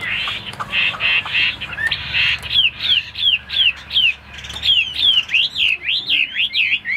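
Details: Chinese hwamei kept in a cage, singing harsh buzzy notes at first, then clear swooping whistles repeated about three times per second in a steady rhythmic series.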